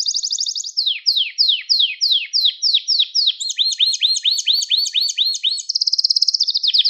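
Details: Gloster canary song used to stimulate other canaries: a fast trill of clear high notes, then a run of repeated downward-sweeping whistles and looping rising notes, ending in a rapid buzzy roll.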